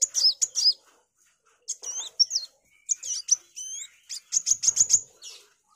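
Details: Energetic singing sunbird, kept as tutor song for magpie-robins: bursts of very high, squeaky, looping notes separated by short pauses, ending in a fast run of sharp chips.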